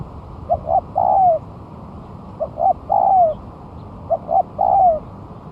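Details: Lure song of a spotted dove singing actively a month after moulting: three phrases, each two brief coos then a long descending coo, spaced roughly 1.7 seconds apart against soft background noise.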